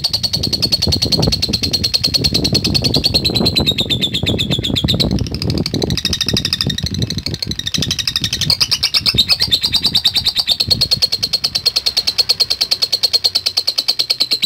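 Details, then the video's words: Lovebird responding to a lure recording, giving a continuous run of fast, high ticking chirps, at first partly masked by loud low rumbling noise that fades later. "Sekali Pancing Pasti Love Bird Nyaut Dan Bunyi | Love Bird Ngetik Dan Latah"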